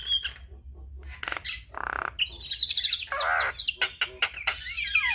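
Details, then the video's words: Energetic Javan myna song packed with imitations, meant as master and prompting audio for all starlings: a brief whistle, raspy bursts, a harsh buzzing block, quick whistled slurs and trills, then descending whistled glides. "Jalak Kebo Gacor Full Isian Masteran Dan Pancingan Semua Jenis Burung Jalak"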